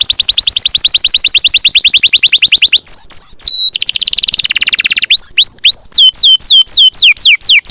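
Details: Canary in full voice delivering a long roll meant for tutoring songbirds: a rapid descending trill, a burst of buzzy notes, then loud swooping whistled notes repeated about twice a second.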